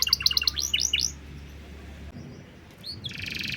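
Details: Canary master song for prompting other birds in cengkok style: a quick burst of descending whistles, then near silence, a single upslur and a closing buzzy trill.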